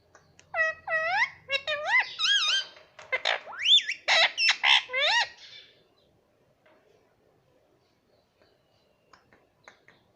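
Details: Baby green parrot kept at home letting out a fast, excited volley of squeaky, harmonic calls, upward slurs and sharp clipped notes tumbling together for about five seconds before falling quiet.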